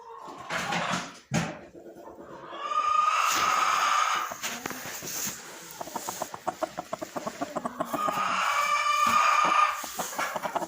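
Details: A Silkie rooster sitting in a nesting box gives a long run of rapid, rhythmic clucks, about three a second, broken by drawn-out higher crooning notes, with some rustling.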